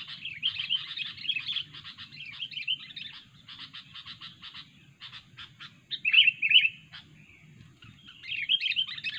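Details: Fierce, talkative sooty-headed bulbul used as a trapping lure, pouring out fast, busy chatter and clipped repeated notes, with louder ringing whistled bursts near the end and a steady low background murmur.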